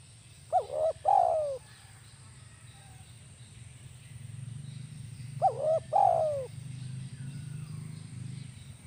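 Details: Spotted dove kept as a lure bird calling kuk 1 style, two phrases about five seconds apart, each quick double notes plus a longer falling coo, with a rumbling low hum between.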